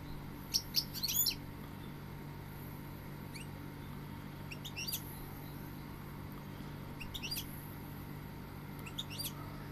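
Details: Goldfinch singing: quick clusters of high, thin twittering notes in short bursts every second or two, over a steady low electrical hum.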